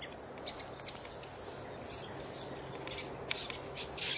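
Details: Repeated thin, high, slightly descending notes from a redwing, roughly two a second, ending with a couple of louder scratchy bursts.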